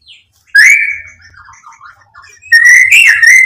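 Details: White-rumped shama song meant to provoke a bird: two loud whistled phrases separated by soft twittering notes.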